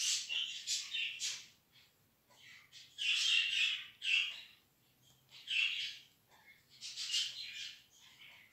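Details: Budgerigar chicks being accustomed early to the hand indoors, giving harsh, squawky chirps in bursts every second or two, with quiet pauses between groups of calls.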